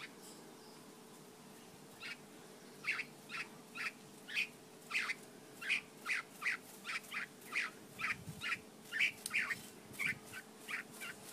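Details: Mongolian lark giving a steady series of short, harsh notes, roughly two each second for about nine seconds, over a faint background hum.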